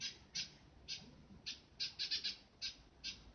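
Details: Young Eurasian tree sparrow, a rescued chick too short of feathers to fly well, reacts in surprise to its first bird voices with rapid, harsh, scratchy chirps, about ten in three seconds, some in quick clusters.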